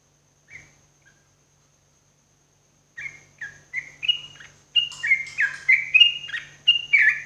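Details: Yellow-vented bulbul in morning song, meant as therapy for kept birds: after a lone note and a pause, a lively string of whistled, gurgling phrases builds up, each dropping in pitch, over a soft steady hum.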